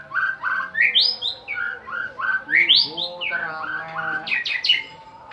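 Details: Lure song of a white-rumped shama, a champion singer, used to provoke other birds to sing: loud varied whistled notes, sharp upward sweeps and rapid stacked phrases, with fainter lower notes beneath.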